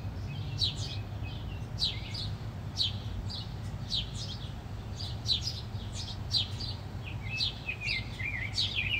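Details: House sparrows in a fight, chirping excitedly: dense runs of high, harsh, falling chirps pile up in rapid uneven series, with a low droning rumble underneath throughout.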